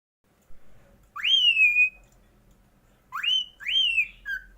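A cockatiel sings clear, pure whistles that sweep upward, then level off and fall slightly.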